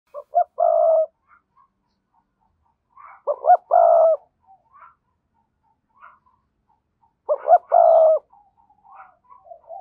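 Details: Decoy spotted dove with a strong, lively 'thúc' voice, cooing three phrases about every 3.5 seconds; each is two short rising coos then a long, level, low coo, with faint soft notes between.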